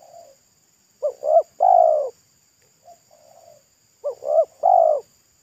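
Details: Spotted dove of local stock with a thick, loud pesom-style voice, singing at a roadside during a trapping attempt. Two full phrases of two short coos and a long purring coo, separated by soft low cooing.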